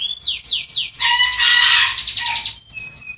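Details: Canary singing for training caged birds that have gone quiet; three falling sweeps lead into a loud, harsh, buzzing rolled trill, ending with a brief high whistle.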